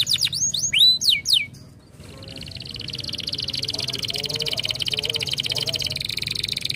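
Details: Canary song opening with a few loud, clear whistled notes that slide steeply downward, then a long, fast, buzzy trill held at a steady high pitch, with a few soft lower warbled notes underneath.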